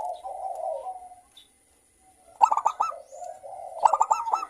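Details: Local zebra doves calling back and forth, a lure meant to stimulate another dove into song: a low soft purring coo, a pause, then two quick bursts of stuttering staccato coos.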